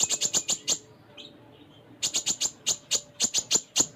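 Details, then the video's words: Konin sunbird in energetic 'gacor full isian' song: fast series of shrill, very high ticking chirps, about four per second, broken by a one-second lull with a softer note, then resuming. "Konin Gacor Full Isian"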